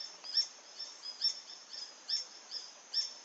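Green hermit giving high, thin squeaky notes about once a second, with softer chips between, over a faint background hiss.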